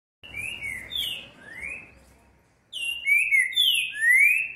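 Green-winged saltator singing loud, clear whistled phrases of slurred rising and falling notes, in two bursts with a short pause between.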